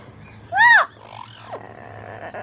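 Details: Pet Amazon parrot cooing toward yellow-fronted, yellow-naped and double yellow-headed Amazons: a single loud, harmonic, arched call lasting about a third of a second, rising then falling, followed by a fainter, short downward slur and quiet room noise.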